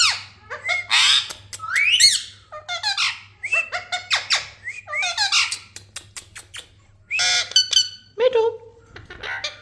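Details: Parrot calling: a rapid run of harsh, high squawks and squeaks with sharp rising and falling sweeps, some notes stacked and buzzy, in short bursts separated by brief pauses, with a steady low hum underneath.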